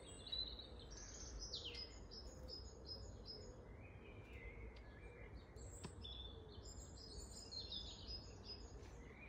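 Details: Long-tailed tits in Grunewald, 20 March 2021, producing a busy stream of high twittering notes and short rattly bursts throughout, with a repeated low soft coo in the background.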